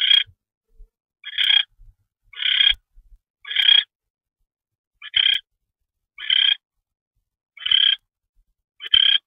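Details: Barn owl, 10:46 PM on 25 February 2013, as a mouse is delivered. Eight short, coarse, hissy rasps are spaced about a second apart, with soft thumps and scrapes low in the background.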